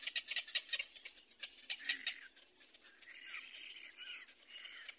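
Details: Little black cormorant chicks vie for their mother's food at the nest; a run of fast, sharp clicks gives way to thin, high, sliding squeals repeated several times.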